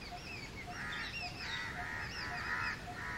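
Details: House crows calling loudly: rough, drawn-out caws run almost continuously, mixed with busy high chirping and whistled notes from other birds nearby.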